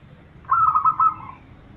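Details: Zebra dove, known locally as perkutut, giving a lure song used to make other zebra doves answer: a single brief bubbling, trilled coo phrase over a quiet background.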